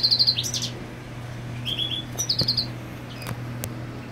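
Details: European goldfinch marking territory with the female on the nest; brief bursts of quick tinkling trills and liquid twitters separated by gaps, with a few sharp clicks and a constant low hum beneath.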